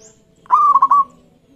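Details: Local zebra dove singing a lure song meant to draw other doves into answering: one short cooing phrase that opens with a note and breaks into three quick rolling beats, lasting about half a second, in otherwise quiet surroundings.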